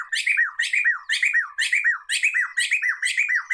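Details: Black-throated laughingthrush, recorded for luring and mastering songbirds, repeating a loud phrase about twice a second: rasping buzzy notes followed by a falling whistled slur, over and over in steady rhythm.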